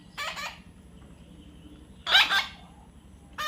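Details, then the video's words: Young parrot calling with grating double squawks, one pair at the start and a louder pair about two seconds later, with another beginning at the very end; quiet steady hum between calls. "natural funny parrot sound"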